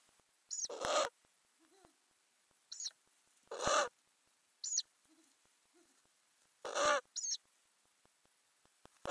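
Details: Ural owl nest box with growing owlets, filmed from under the lid in May 2020: loud rasping hisses every few seconds, each paired with a thin, high squeaky note.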